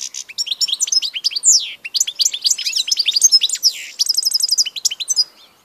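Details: Dense goldfinch song dated 16 March 2014: an unbroken, rapid flow of bright tinkling chirps and sweeping slurred notes, ending in a run of evenly repeated twitters.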